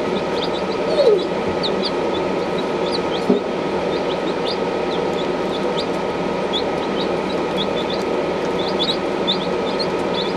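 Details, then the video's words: Buff Orpington chicks peeping: many short, high cheeps scattered across the recording, several chicks calling at once over a steady, loud rumbling hum like machinery or traffic. "Buff Orphington Chicks"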